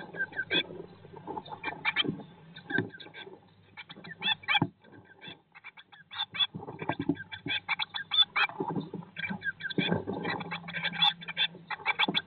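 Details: Eurasian blue tit nest box, day 19 after the first egg hatched in May 2022: near-continuous clusters of high, quick chirps, with fluttering, scratching movement sounds running underneath throughout.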